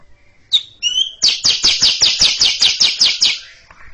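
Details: Greater green leafbird (cucak ijo) in a long chattering 'ngekek' song, ready to roll into a continuous run, delivered in front of a silent younger bird; two short whistled notes, then about eleven harsh, rapid notes at roughly four per second.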